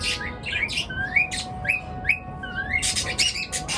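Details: Morning bird calls: a run of short, upward-sweeping chirps repeated about every third of a second, then a dense burst of overlapping high chirps near the end, with a faint steady hum behind.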